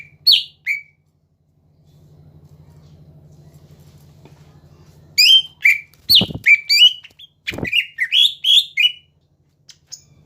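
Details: Greater green leafbird singing to provoke rivals: a few whistled notes, a pause with steady low hum, then a lively run of varied whistles and chirps broken by two low thumps.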